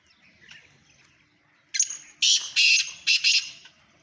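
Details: Black francolin calling in Sindh, Pakistan: faint chirps first, then a sudden loud phrase of one short rasp followed by four harsh, grating notes, two long and two clipped, dying away quickly.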